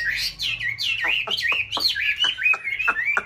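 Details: Paired white Chinese hwamei at nest-building time in a mountain-town conservation aviary: a fluid string of looping whistles, each punctuated by a sharp downward snap, roughly three per second.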